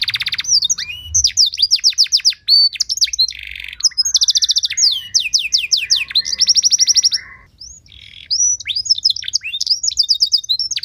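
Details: Domestic canary singing a training song meant to provoke other canaries into song: dense, fast chains of high downward-sweeping notes and rattling rolls, with a brief pause near the middle, then more quick sweeping phrases.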